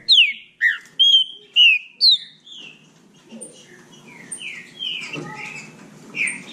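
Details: Trinca-ferro (green-winged saltator) from Bahia singing in a contest: five loud, clear whistled notes sliding downward in quick succession, then fainter scattered whistles over a low background murmur.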